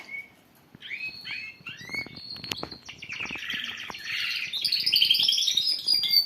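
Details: Young canary beginning its song as part of listening training; scattered upslurred chirps give way to a building rush of rapid trills and high, thin ringing notes that grow steadily louder toward the end.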